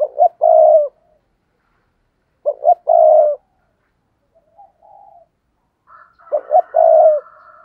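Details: Spotted dove coo used as a lure for wild doves. Three low phrases arrive about every three seconds, each two quick coos and a longer held note. Near the end, a higher, buzzy tone overlaps them.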